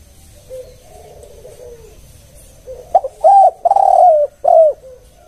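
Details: Spotted dove in a lure recording for caged doves, giving soft low coos, then a louder run of three or four hollow, rounded coos about half a second each, close together.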